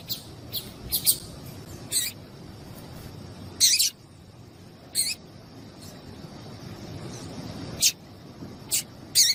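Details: Female double-collared seedeater calling to stimulate a male to sing: short, very high, sharp chirps given singly or in quick pairs at irregular gaps, over a faint steady high hiss and low background rumble.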